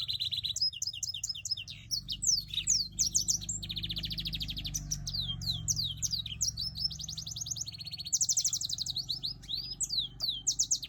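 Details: Timbrado canary mule, black-throated, in continuous varied song: quick high trills, swooping whistled slurs and buzzy rattles in tight succession, with a low background hum throughout.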